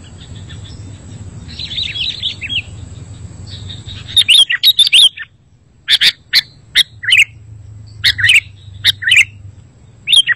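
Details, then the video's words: Sooty-headed bulbul recording used to lure wild birds and to prompt lazy singers to reply. Soft background twittering comes first, then loud, sharp, high chirps ring out singly or in pairs at irregular intervals of about half a second to one second. "Suara Masteran Burung Kutilang Berkicau, Kutilang Auto Nyaut"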